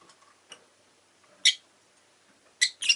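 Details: Rosy-faced lovebird, including an orange-coloured bird in its last recording, giving a few sharp, harsh chirps: one at mid-clip, then a quick pair near the end, separated by quiet gaps with faint ticking sounds.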